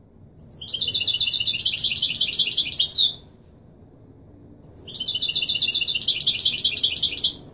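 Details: European goldfinch in authentic Marrakchi Widani song style, played to teach young birds to sing: two bursts of rapid, bright, high twittering notes, each about two and a half seconds long, separated by a silent pause.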